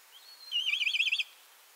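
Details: Black Kite from Central Russia giving a brief thin rising whistle, then a loud, rapid, quavering whinnying trill lasting under a second, clear and uncluttered against a quiet background.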